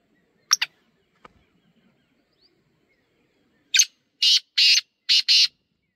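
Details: Wild black francolin calling outdoors: after a couple of brief sharp notes and a long pause, a harsh, grating series of four or five loud rasping bursts in quick succession, with near silence around it.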